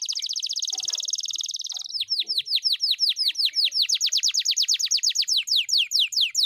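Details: Canary performing a long roll: a very fast, tight trill of high notes for about two seconds, then a slower run of repeated downward-sweeping whistles, each a clean descending slur, continuing without pause in a quiet setting.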